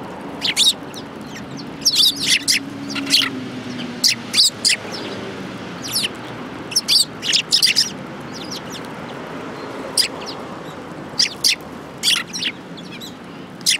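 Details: Several sparrows feeding together at a shrine in Japan, January 2018, giving scattered sharp chirps and short chatters at irregular intervals, some clustered in quick pairs, over a soft low rumble.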